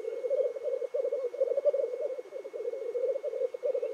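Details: Morning lek of black grouse in the Cairngorms National Park, birds displaying and calling: steady, low, pulsing bubbling coos run throughout, with brief dips between rolling phrases.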